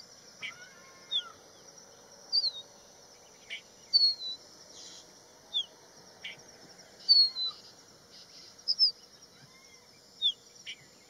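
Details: Crested bunting calling and singing along Haidakhan Road, giving short, sharp high chips and brief falling notes scattered every second or two, over a steady high insect hiss.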